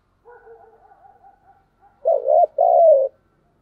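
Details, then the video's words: Spotted dove in thúc gù style: a faint, wavering low murmur first, then two loud, hollow coos, the second longer and sliding slightly downward. "tiếng cu gáy/ cu gáy thúc gù"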